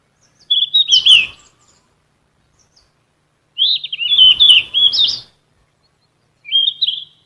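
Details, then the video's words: Golden flycatcher singing for captive songbird vocal training: three bursts of bright, fast warbling, the middle one longest, with clean silence between. "BURUNG KICAU"SIKATAN EMAS"(KICAU MANIA)Full Gacor"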